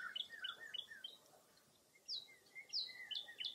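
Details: Birds calling on a foggy early April morning at Mirror Lake State Park, Baraboo, Wisconsin: quick high chirps and short down-slurred whistles in scattered bursts, with a brief pause midway before sharper notes resume.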